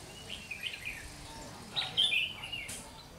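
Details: Decoy red-whiskered bulbul singing during a trapping session on 30 June 2020. A soft chattering phrase is followed by a louder, sharper whistled burst near the two-second mark, over faint background hiss.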